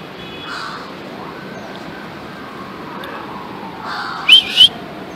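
Galah (rose-breasted cockatoo) gives two quick, harsh, high screeches near the end after a quiet stretch with faint background noise.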